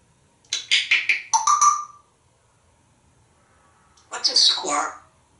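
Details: Pet African Grey Parrot, male, kept indoors in a Texas home, talking in the shower: a quick run of four or five voice-like syllables ending in a whistled tone, a pause, then another hoarse speech-like phrase in a small room.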